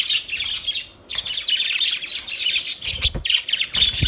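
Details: Budgerigars chirping: dense, continuous warbling chatter of buzzy, scratchy notes mixed with short squawks, several birds calling at once with a brief pause near the one-second mark and a few low knocks.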